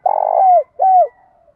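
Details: Spotted dove cooing to call its flock, used as a lure for wild doves: a long, full, mid-pitched coo that drops at its end, a brief gap, then a shorter coo that also falls away.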